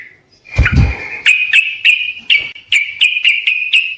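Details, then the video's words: Sooty-headed bulbul in persistent song intended to prompt other birds to answer: a steady series of clear, ringing chirped notes about every quarter second, after a brief low thudding knock near the start. "Burung Trucukkan video asli suara asli gacor Setel di rumah pasti pada nyaut"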